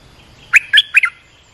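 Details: Olive-winged bulbul lure and training call: one short phrase of three or four gurgling, bubbly notes, delivered in about half a second.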